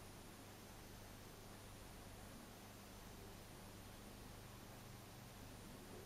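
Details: Quiet room with only a low electrical hum and soft even hiss; no chirps or other animal sounds are heard.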